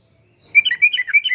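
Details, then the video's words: Yellow-vented bulbul in energetic 'gacor' singing, used as a lure and tutoring recording for caged birds in the 'uplik-uplik' style: a quick burst of bubbly, warbled notes that rise and fall around the same mid-high pitch, starting after brief quiet. "Kicauan Suara Burung Trucukan Gacor Uplik Uplik,Pancingan Trucukan Gacor,Masteran Trucukan"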